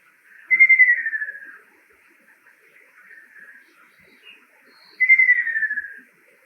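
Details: Male ruddy kingfisher (Halcyon coromanda), a summer visitor to Japan, sings "kyororororo", two long, slightly descending whistled trills fading toward the end, each about a second, four seconds apart, with faint background chirps.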